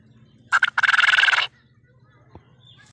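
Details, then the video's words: A quail gives one harsh note, then a rapid, buzzy rattling burst lasting about a second, over a steady low hum. "quail bird sound"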